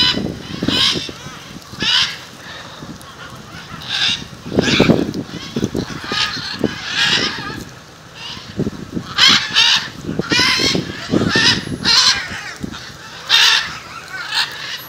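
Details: A gathering of macaws in front of a house in Jaumave, Tamaulipas, in February 2015, giving loud, harsh, grating squawks, several birds calling in irregular overlapping bursts every second or two, over a low background rumble.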